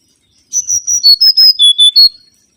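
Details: Mangrove whistler song used as a lure: a run of about eight clear, high whistled notes, each held briefly, stepping down in pitch through the phrase. There is no background noise.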